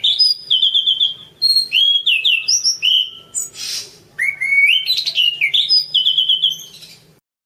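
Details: Orange-banded thrush masteran song: quick series of repeated whistled notes, then rising slurs and a harsh hiss, ending in a run of bright repeated chips.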